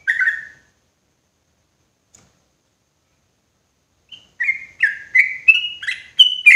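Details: Sooty-headed bulbul lure call, loud and clear, used to attract wild birds for trapping in forest: one slurred note, a long silence, then a quickening run of short bubbly whistled notes stepping upward in pitch.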